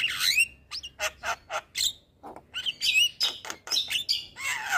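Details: Javan myna song used to train lazy birds to sing: loud harsh squawks and chattering notes in uneven bursts, with a sweeping whistled note at the start and a grating buzzy phrase at the end.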